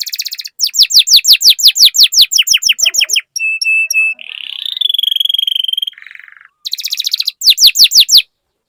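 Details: Canary song meant to coax other canaries into singing: loud repeated downward-sweeping whistles, a few flat piping notes, a long rolling buzz and lower rattle, then the sweeping whistles return.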